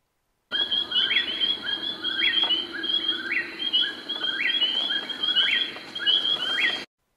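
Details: A nocturnal Eastern Whip-poor-will of eastern North America sings its namesake three-part whistle, repeated steadily about every second, the last note rising sharply, over faint insect hum.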